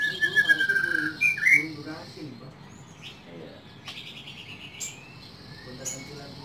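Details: Household white-rumped shama from Indonesia: a run of quick whistled notes gliding up and down for about two seconds, then near silence with a few faint, scattered chirps.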